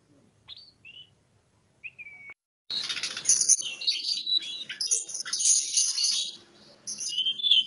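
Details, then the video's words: Oriental magpie-robin (kacer) in ngobra style: a few isolated whistled notes, then a dense, high, rapid warbling torrent that runs without pause to the end. "KACER POCIKU NGOBRA NGOBRA"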